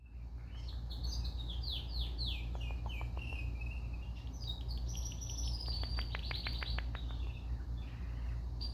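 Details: Indian ringneck parakeets playing, filmed on a phone: a burst of short downslurred chirps and squeaks, then a quick series of dry clicking ticks and more chirps, over a steady low hum.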